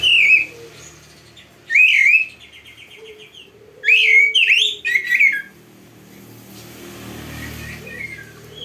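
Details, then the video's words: Oriental magpie-robin (kacer) tutor song for training birds: loud whistled phrases with quick trilled segments, separated by pauses, over a faint low hum and background hiss. "Masteran Burung Kacer yang cocok untuk Latihan"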